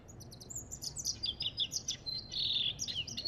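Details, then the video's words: African goldfinch singing: a fast, continuous run of high twittering notes, thin whistles and buzzy trills, with short sliding phrases and brief pauses, over a faint low background hum. "اسمع صوت الحسون الافريقي"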